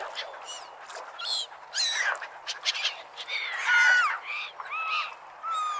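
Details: Seagulls at the beach, a run of nasal, wavering cries, some sliding downward, rising in loudness toward the middle with a long drawn-out call, over steady low hiss.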